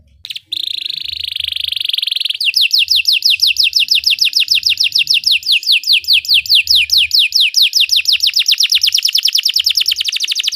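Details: Belgian canary singing meant to make other canaries sing: a sustained high buzzy trill gives way to a long, rhythmic run of sharply falling whistles that speed up toward the end.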